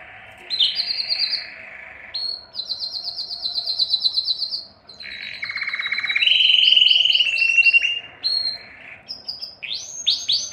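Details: Strong, long canary song sung to attract females for mating: successive rolled trills shifting abruptly between high and lower pitches, including a loud, dense mid-pitched roll, with short pauses between phrases.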